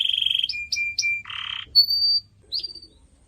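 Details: Canary singing on a bird-training recording: a steady whistled tone, three short chirps over a held note, a low buzz, then a clear high whistle and a final upswept note.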